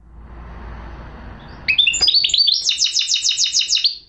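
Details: After soft low rumble, a goldfinch hybrid (mulet) breaks into song: scattered sharp chips, then a fast, regular trill of high twinkling notes continuing for about two seconds.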